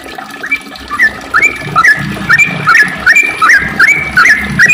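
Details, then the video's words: Sooty-headed bulbul delivering a lively, long rapid song: clear slurred whistles, each swooping down then up, repeated steadily about twice a second over a low rumbling background. "kicau trucukan gacorr ropel panjang"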